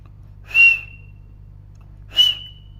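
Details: Parrot giving two short, bright whistled chirps about one and a half seconds apart, each opening with a brief rough burst before a level pure tone; faint low background hum.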